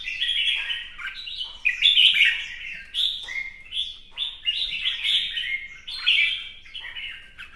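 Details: Red-whiskered bulbul caged for song competition, displaying with fanned feathers: fast sequence of loud, liquid, downslurred whistled phrases, each starting high and dropping, repeated roughly every second.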